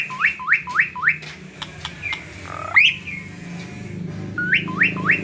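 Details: Myna keeps singing with quick upward-sweeping whistled notes in bursts of four, broken by clicks and a single louder rising squeal, then another short burst of rising whistles.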